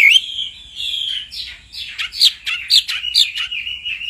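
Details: Hwamei in the rousing set of female calls and male song: long clear whistled note, then a quick series of sharp, looping, rising and falling phrases with brief gaps between them.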